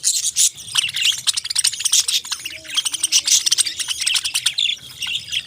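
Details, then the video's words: Parrots in a continuous chatter of high, quick chirps and squeaky tweets, many notes overlapping as if several birds call at once. A faint low murmur sits beneath the middle. "Beautiful Birds Cute Chirping Sounds"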